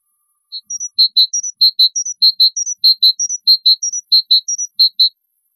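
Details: Goldfinch song for tutoring chicks, clean and close: brisk paired high chirps alternating with thin, very high tinkling notes, the pattern cycling roughly every half second in a steady, rhythmic phrase with a silent background.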